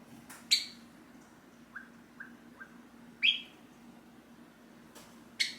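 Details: Hand-tame Java sparrow in a cage calling out as its owner gets up: sharp chip notes with a short run of soft, low peeps between them, set against a steady indoor hum.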